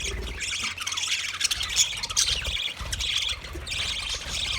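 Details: Budgies calling: a dense, steady flock chatter of high chirps and squawks, many overlapping voices with brief louder squawks around the middle and a faint low rumble beneath.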